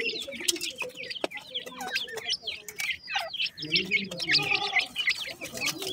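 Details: A brood of francolin chicks, called dakhni teetar, twitters in quick high chirps, then adds lower, rounder churring notes partway through.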